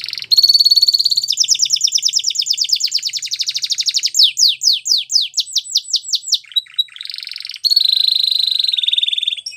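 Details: White Belgian canary sings a long fast trill, then slower descending whistled notes, a brief buzzy phrase, and a final quick rolling trill.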